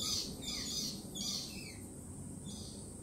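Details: Lorikeets, jittery after a peregrine falcon attack earlier in the week, give loud, harsh, high screeches in quick overlapping bursts, several in three seconds, over a low background rumble.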